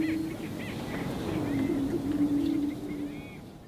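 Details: Spring lek of greater prairie chickens, males displaying to win females: a sustained low moan rises and wavers for about two seconds amid other booms. Brief higher whistles and chatter come from nearby birds.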